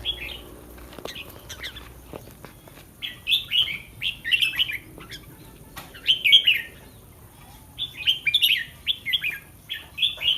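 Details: Caged red-whiskered bulbul the day before a singing contest. Soft opening chirps, then strong repeated warbling phrases of quick whistled notes in groups of two or three, returning several times across the recording.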